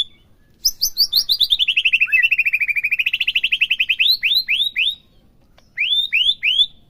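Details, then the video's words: White-rumped shama song aimed at provoking a captive bird: a long rapid trill of about thirty even notes dipping and rising, followed by upswept whistled phrases repeated in two short groups. "PERANGSANG EMOSI MURAI BATU AGAR CEPET IKUT BONGKAR"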